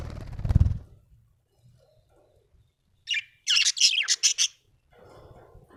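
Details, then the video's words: Happy budgerigar chirping, a lively run of five or six bright scratchy chirps in quick succession after a low thud, then soft chatter. "Happy budgie chirping sound"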